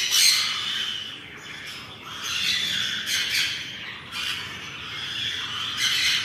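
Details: Mini macaws feeding each other give harsh, raspy squawks in bursts about every second, loud and grating, with no other clear sounds.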